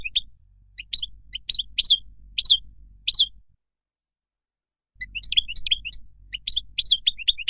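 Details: European goldfinch in wild song used to teach chicks: separate bright chirps spaced roughly half a second apart, a pause, then a denser run of tinkling, twittered high notes.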